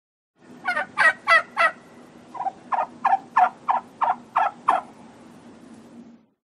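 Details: Wild turkey gobbling, male and female: a run of about a dozen rapid, rattling gobble bursts, four loud ones then a slightly softer series, over a low steady background hum.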